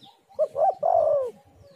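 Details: Spotted dove cooing to lure other doves: a short note, a rising coo, then a long smooth coo that slowly falls away, over faint low background rumble.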